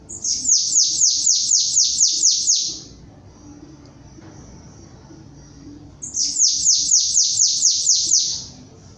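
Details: Bananaquit singing in the 'belga diferenciado' style: two bursts of about ten rapid, very high, buzzy downward-sweeping notes, each burst lasting nearly three seconds, separated by a quiet pause.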